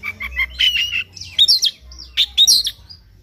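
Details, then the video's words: White-rumped shama singing in the morning as a lure to spur a bird to sing, delivering quick chattering notes that lead into loud, sweeping whistled phrases and sharp high notes, roughly one burst per second. "PANCINGAN KACER PAGI HARI AGAR NGOTOT NGEPLAY BONGKAR ISIAN"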